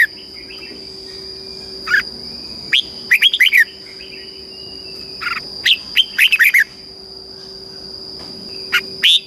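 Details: Red-whiskered bulbul song in the southern master style, played to stimulate caged bulbuls and teach young birds. Scattered short bursts of bright, chirpy whistled notes come in loose phrases, over a steady high electronic whine and a low hum.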